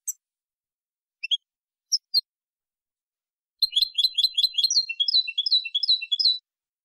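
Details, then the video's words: European goldfinch in clean song, the jilguero limpio style, captured in 2020: scattered short high chips lead into nearly three seconds of continuous, fast, rippling twitter that shifts slightly in pitch toward the end, with quiet surroundings. "CD jilguero limpio 2020"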